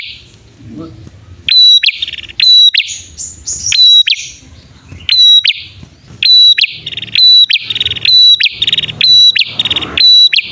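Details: Bar-winged prinia, male and female, recorded as a lure for wild birds: loud, sharp whistled notes near one pitch, each dropping into a buzzy, rattling trill, repeated in quick bursts about once a second, with some low background rumble.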